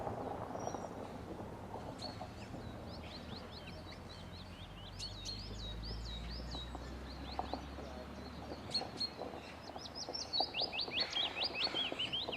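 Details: Wild birds singing during a quiet, relaxing spell on Cannock Chase: thin high chirps and short rising whistles scattered throughout, growing louder and busier in quick trilled bursts near the end, over a soft low rumble.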